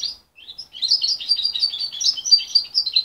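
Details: Young goldfinch hybrid raised by its mother and separated at 23 days, after a short gap launching into lively high twittering with quick, varied, slurred notes throughout.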